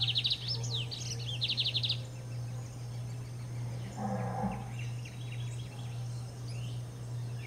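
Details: Singing lined seedeater delivers two quick buzzy rattling trills at the start, then scattered faint chirps; a brief lower muffled sound intrudes midway, and a steady low hum runs throughout.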